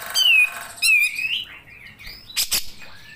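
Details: Grey-cheeked bulbul singing in the long 'nembak panjang' style, used as a master recording for songbird keepers: clear whistled notes that slide downward, a second whistled phrase, softer warbling, then two short harsh buzzy bursts.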